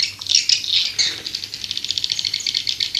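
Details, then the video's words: Swiftlet lure call meant to draw birds in: a brief burst of shrill, buzzy twittering that settles into an even, rapid series of high clicks, about seven to eight per second. "Suara burung walet panggil 7"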